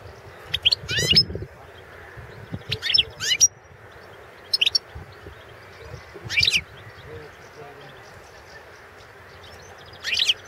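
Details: Competition entry of a Balkan goldfinch (Carduelis carduelis balcanica), 2016 World Championship in goldfinch song: short high twittering phrases of sharp chirps and rising notes, repeated at irregular intervals over about ten seconds, with a soft low background murmur.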